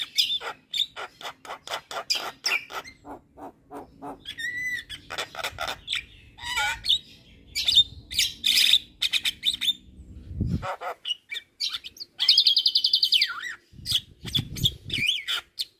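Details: Javan myna, a champion singer chattering without pause: rapid clicks and harsh notes, whistled slurs, a buzzy rattling burst near the end, and occasional low thuds.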